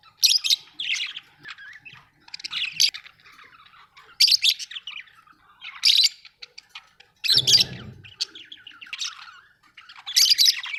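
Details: Pet budgerigars at home give short bursts of bright chirping and chatter roughly every one to two seconds, separated by quieter twittering, with one brief low thump.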